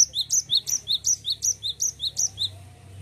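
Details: Cinereous tit pouring out its continuous rolling 'ngerol' song, about eight high, sharp two-note phrases in quick succession that fade out near the end.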